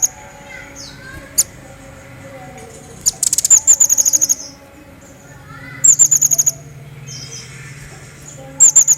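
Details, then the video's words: Crecet jawa singing energetically, a recording used to prompt and train other songbirds: bursts of very high, rapid trilled pulses come in three clusters a few seconds apart, joined by thin high whistles over a faint low hum. "Crecet Jawa Gacor Pancingan Burung Masteran"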